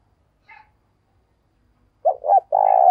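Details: Decoy spotted dove calling wild doves in the morning: a brief faint chirp, then two quick coo notes and a long steady coo cut off at the end.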